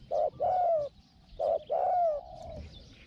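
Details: Spotted dove used as a decoy to lure wild doves, said to have a small voice going 'hong hong'. Loud hoarse coos in two bursts, each a short note then a longer falling one, with quiet gaps between.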